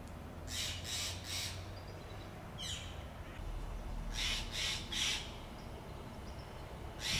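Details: Steller's jays giving contact calls in a Monterey pine forest in Del Monte Forest. Harsh, buzzy notes come in quick sets of three, repeated a few times over a steady low rumble.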